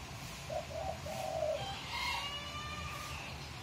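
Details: A young bekisar rooster that only began crowing about three days earlier, still learning, gives a short, hoarse, unfinished crow in a few broken, rising notes.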